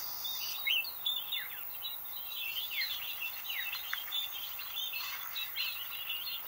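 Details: Flock of chestnut-breasted mannikins by a road in Julatten, North Queensland, giving a steady overlapping chatter of thin, high chirps and short downslurred notes over a soft background hiss.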